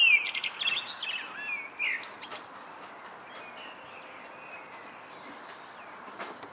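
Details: A common blackbird sings in the evening: a loud jumble of whistles and high twittering for about two seconds, then fading to quiet background hiss with faint distant notes.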